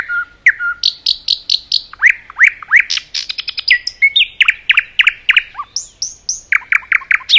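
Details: Common nightingale in forest singing a rich, continuous sequence of repeated sharp chirps, swooping slurred notes and a brief rapid trill, phrases changing every second or so.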